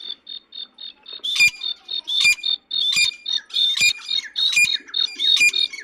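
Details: Black francolin (kala teetar) call meant to draw francolins quickly and excite them: a fast, thin repeated ticking, then loud, harsh, grating notes with a ringing upper tone, each about every 0.8 seconds.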